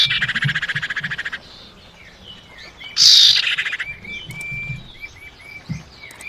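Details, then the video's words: Common iora, a female calling to the male as a lure: a rapid pulsed buzzy rattle, then a loud harsh burst, followed by a series of short whistled notes with faint background chirping. "suara pancingan burung cipau betina panggil jantan"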